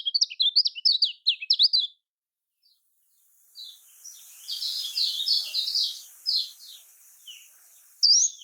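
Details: Kecial kuning (lemon-bellied white-eye) of Lombok, played as a lure to get birds singing: quick high twitters for two seconds, a pause, then a softer blurred series of high notes over hiss, ending with a sharp chirp.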